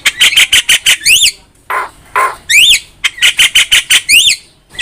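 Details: Javan myna in full active song for training songbirds: fast rattling series of scratchy notes, then a couple of lower nasal squawks, followed by repeated whistled chevron phrases and another rattling run.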